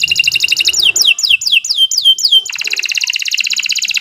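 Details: Canary singing a long, vigorous tutor song for training other birds: a fast trill, then a series of clear descending whistled slurs, then a dense, rapid rolling trill.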